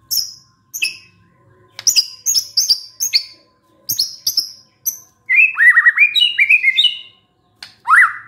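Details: White-rumped shama singing after a lure recording: scattered very high sharp notes, then a loud run of rising and falling whistles and a final upslurred note.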